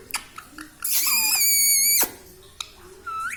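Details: Talking pet parrot; a harsh, buzzy squawk about a second long dominates, with a short whistled syllable before it and a rising whistled syllable at the end, plus scattered clicks indoors.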